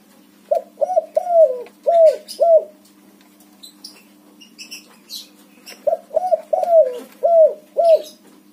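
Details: Spotted dove of a white colour variety, singing to prompt a dove that has stopped singing: two phrases of five to six husky, bouncing coos about two seconds apart, separated by a quiet gap with faint high chirps.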